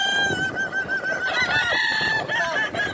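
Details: Kukuak Balenggek roosters at the final of a crowing competition, boko class, at a dairy farm in Solok regency; several birds crow at once in overlapping, drawn-out, wavering notes with stepped pitch changes under a constant crowd murmur.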